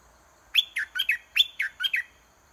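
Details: Decoy red-whiskered bulbul in a cage, singing so a wild bird comes down to fight: two quick bursts of three or four warbled, dropping whistles each, bright and clear against near silence.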